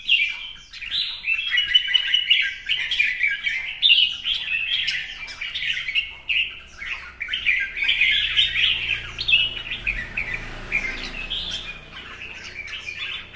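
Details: Red-whiskered bulbul in a singing duel while fanning its tail in display: dense, continuous bright warbling and chattering with rapid overlapping phrases throughout, and faint low room rumble.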